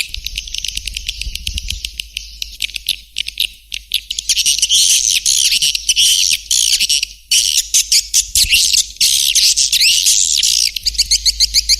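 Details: Swiftlet lure call meant to attract birds: dense high twittering, then loud bursts of rapid rising chirps with short gaps between phrases.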